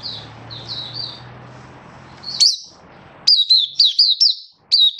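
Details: Oriental white-eye, kept bird in song display, 24 February 2023: faint high chirps over a low hum and hiss, then a loud clear run of sharp, down-slurred chirps in quick succession.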